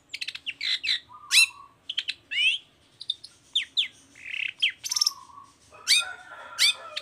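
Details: Long-tailed shrike in full song, used as a lure to prompt other shrikes to sing: a fast, varied mix of chattering notes, slurred whistles, buzzy phrases and flat drawn-out tones, dense and continuous.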